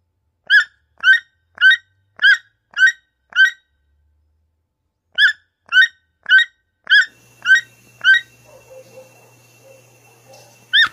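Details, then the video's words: Toucan giving loud, harsh yelping notes in steady series about two per second: six notes, a short pause, then six more, with a faint low hum and soft background noise toward the end. "The strange sound of the toucan bird"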